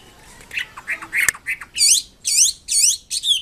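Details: Wambi kembang mandarin in full song: scattered soft chirps, then loud, rich, rising whistled syllables repeated about twice a second, with a single sharp click early on.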